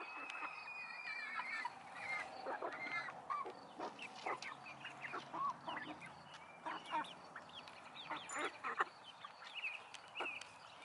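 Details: Chickens and roosters kept in a coop give a steady stream of short clucks and curved, drawn-out calls, overlapping one another against a background hiss.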